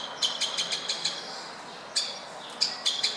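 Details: A woodpecker at a window in Berceni, Bucharest, Romania, uttering a quick series of six bright, piercing kik notes, then a pause and a few more sharp calls.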